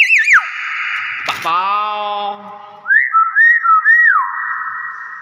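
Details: Common hill myna producing loud wavering whistles, a harsh buzzy note, then a run of rising-and-falling whistled phrases, with people's voices nearby.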